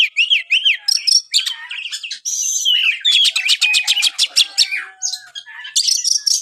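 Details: Oriental magpie-robin (kacer) song played to get a reluctant bird singing: high, fast, varied phrases of slurred whistles, rapid buzzy trills and repeated sharp notes in quick succession, loud and clear with no other sounds.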